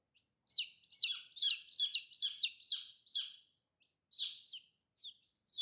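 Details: Several colorful baby chicks peep over one another: a busy cluster of high, overlapping down-slurred cheeps, then scattered single peeps after a short lull.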